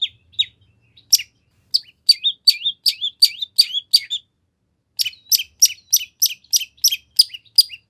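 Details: Long-tailed shrike in full, energetic song packed with varied phrases, used as a lure to make another shrike answer; sharp high chirps in rapid bursts, a pause near mid-clip, then a dense run of repeated notes.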